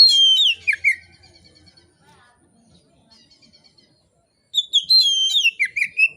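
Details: Oriental magpie-robin singing in a relaxed, loud, open style, a song used to lure other magpie-robins into singing: rich whistled phrases sliding downward, a long pause, then a second burst of varied, fluty notes.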